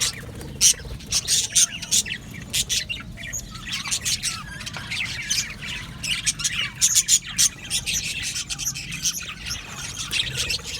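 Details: A colony of budgerigars in an aviary, chirping and squawking: rapid, harsh, high chatter in dense overlapping bursts from many birds, with brief pauses between flurries.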